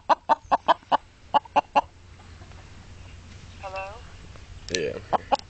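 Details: Chicken clucking in a regular run of short notes, then a pause while a woman speaks, followed by a few more clucks as the bird answers back.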